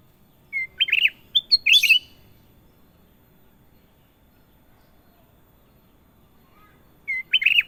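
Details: Sooty-headed bulbul singing: a short clear whistle followed by a bubbly, warbled phrase, then a second chattering burst, and after about five seconds of quiet the phrase starts again. The background is quiet.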